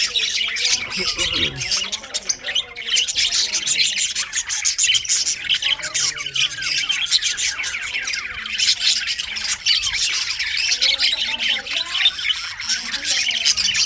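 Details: Budgerigars in winter keep up a lively, nonstop chirping chorus: bright high chirps, rasping squawks and twittering warbles pour out over about fourteen seconds.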